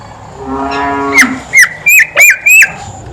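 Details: Horsfield's babbler in loud song: a drawn, low, buzzy harmonic tone, then five sharp clear whistles, each a short upward or downward sweep, about three per second.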